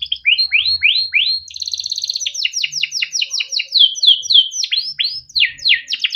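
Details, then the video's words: Kept male canary in long gacor song for tutoring young canaries: rising chirps repeated in quick series, a rapid pulsed trill, then sharp down-swept notes delivered fast and continuously, with a low hum in the background. "burung KENARI CUIT CUIT NGEROL untuk pancingan kenari biar gacor || kenari gacor panjang || canary"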